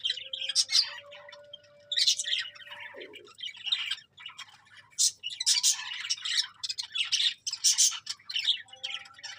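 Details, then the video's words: Chirping budgerigars deliver repeated bursts of squeaky, buzzy chatter roughly every second or two, with brief pauses between phrases. "Cute Budgies Chirping Sounds"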